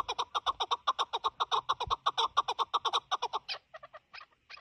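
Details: ['Chukar partridge (chakor) calling in a hunting setting; a rapid, rhythmic series of harsh clucking notes, about eight per second for three and a half seconds, then trailing into scattered softer chucks.']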